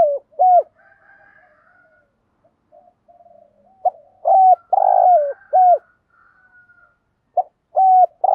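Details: Decoy spotted dove cooing in the 'thúc gù' manner: repeated low double notes and longer coos, bunched and partly overlapping in the middle, with faint higher drawn-out tones behind them.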